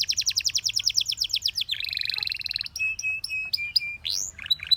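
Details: Canary song of rhythmic repeated trill notes, a buzzy rolling phrase, then evenly spaced short notes and a final upward sweep.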